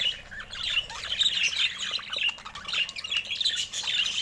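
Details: Budgerigar calls: continuous overlapping chirps and squeaky warbled chatter from several birds, mid to high pitched and fast, rising and falling in loudness without pause.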